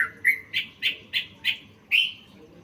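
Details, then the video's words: Sooty-headed bulbul singing a training recording full of learned phrases: short sharp chirped notes, rising and falling, repeated roughly every third of a second, with one longer slurred note near the end over faint low background hum. "Masteran trucukan full isian"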